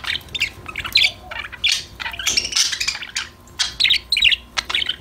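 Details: Several budgerigars singing and talking to each other at play: rapid, buzzy twitters and sharp chirps run almost continuously, with a few louder harsh notes standing out.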